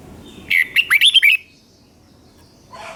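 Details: Caged red-whiskered bulbul from Thailand singing in the southern master style, used to excite other birds and teach young ones: one quick burst of about five bright warbled, chirpy notes, then quiet, with another phrase just beginning.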